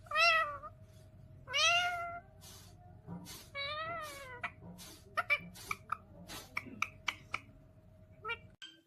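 Rose-ringed parakeet giving three drawn-out, arching, mew-like calls, then a quick run of short clicks and chirps, over a steady background hum.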